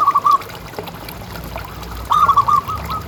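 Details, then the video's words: Kept local zebra dove, a loud caller, its voice used as a lure to set other doves calling. Two phrases of rapid, clipped coos with a longer final note, separated by quiet hiss. "Suara Paling Ampuh Untuk Pancingan Burung Perkutut Agar Bunyi Terus"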